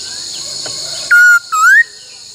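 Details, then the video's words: Black-throated laughingthrush song used for song training in the style called "bắt cô trói cột": two loud clear whistles, one flat and one dipping then rising, over a steady hiss. "Luyện khướu hót bắt cô trói cột , luyện hót nhiều giọng cực hay"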